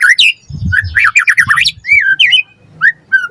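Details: White-rumped shama as a lure for captive birds, singing loud, jerky whistled and harsh notes in a tight burst, followed by a few spaced slurred whistles over faint low background rumble.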